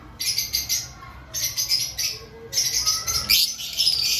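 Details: Aviary lovebirds before breeding season calling in three bursts of rapid, sharp high-pitched chirps separated by short pauses, ending with a thin rising whistle-like squeak.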